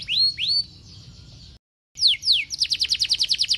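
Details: Canary in energetic, continuous gacor song, played to make other canaries sing: two sweeping rising whistles, then a brief silence, then falling slurs leading into a rapid trill of sharp notes, about five a second.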